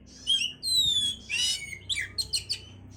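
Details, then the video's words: Oriental magpie-robin song played to stimulate breeding condition: clear whistled notes, a long falling whistle, a buzzy burst, then quick sharp repeated chips in the final second. "pancingan suara Kacer untuk mendongkrak birahi"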